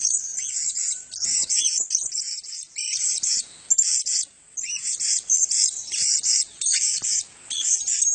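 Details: Male blue-crowned hanging parrots in a group; shrill, very high chittering calls in rapid bursts separated by short gaps, overlapping voices.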